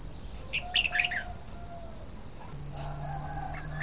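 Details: Red-whiskered bulbul singing: one short burst of quick, warbled whistled notes early on, then mostly quiet with a faint later note; a steady thin high whine and a low hum run throughout.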